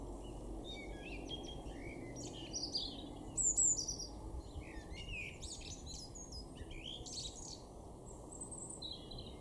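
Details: European robin in a garden in Weener, East Frisia, northwest Germany, April 2024, singing high, thin, varied phrases of quick twittering notes and brief trills over a steady low rumble.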